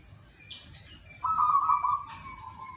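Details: A single sustained, rolling cooed trill lasting nearly a second from a local wild zebra dove in the morning, preceded by a brief high chirp and faint background birdsong.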